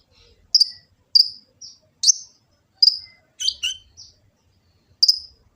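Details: Olive-backed sunbird (kolibri ninja) singing full-filler song, used to train and lure other birds, recorded on an Android phone in Gresik, East Java: scattered sharp high chips and short buzzy notes about a second apart, with a faint low rumble below.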